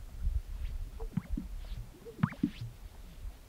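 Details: A displaying male Greater Sage-Grouse on a Colorado lek on a snowy April early-spring morning gives soft, hollow low booms from inflated chest air sacs, broken twice by sharp liquid pops with a quick rising whistle. Faint background rumble.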